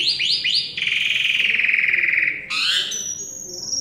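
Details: Asian pied starling, a singing bird from Semarang, Indonesia: three quick rising whistled notes, then a long sustained harsh trilled note, ending in a higher buzzy phrase and thin whistled tones.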